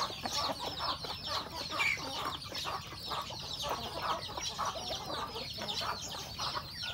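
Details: Domestic chickens at home in a rural setting, roosters and hens eating breakfast; a dense chorus of overlapping short chirps and clucks from many birds, steady throughout with no pauses.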